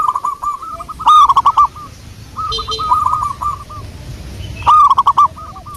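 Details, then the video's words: Used as a lure, a local wild zebra dove sings strings of arched, rolling coos; loud close phrases alternate with softer distant ones, roughly every two seconds, over a low rumbling background. "pancingan burung perkutut Lokal alam"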